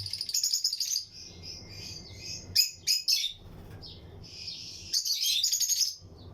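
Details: Breeding pairs of Lutino lovebirds in a flight colony cage: fast stuttering high twitters, a run of loud sharp chirps midway, then another burst of twittering chatter, with soft low hum behind.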